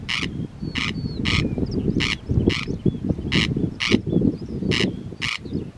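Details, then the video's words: An unseen corncrake near the Priory on Oronsay, off Colonsay, gives its dry, rasping double 'crex-crex' about twice per second, over low wind rumble and faint thin whistles of other birds. "Sound of the Invisible Corncrake"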